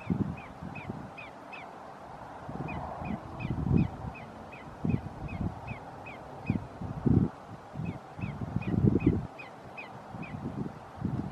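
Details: A greater yellowlegs calling at Roxbury Park, Meggett, South Carolina, on 1/5/2019: bright whistled notes come in bursts of three to seven with short pauses, while gusts of wind thump underneath.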